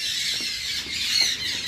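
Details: Rose-ringed parakeets (ringnecks) kept in a breeding cage, being released back after two years: harsh, high squawks, a few short bursts in under two seconds, against a steady hiss of background noise.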